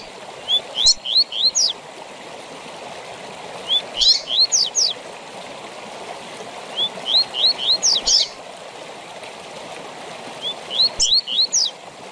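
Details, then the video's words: Tui tui zel zel song from a Double-collared seedeater, used to train captive birds. Four evenly spaced phrases, each a quick series of rising whistles and sharp falling zel notes, over a persistent rushing background. "TUI TUI ZEL ZEL DE FIBRA TOP PARA ENCARTE DE COLEIROS E PAPACAPIM!!!"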